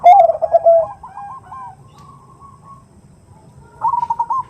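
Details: Female zebra dove giving the 'nutut' call to draw a male: an opening loud, trilling coo phrase with a few quick follow-up notes, a soft drawn-out tone, then a fresh run of rapid repeated coos.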